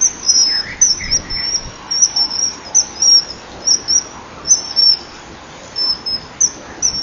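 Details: Common kingfisher at a breeding wall, male calling on arrival at the rear perch with a female nearby, 10:16, 21 January 2012: a steady series of piercing, very high, short whistled notes repeated roughly twice per second throughout.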